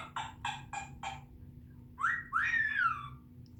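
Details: African grey parrot producing four evenly spaced harsh, burry notes, then after a pause a pair of long whistles, the first rising sharply and the second a rising-then-falling slur, in a quiet room with a low hum.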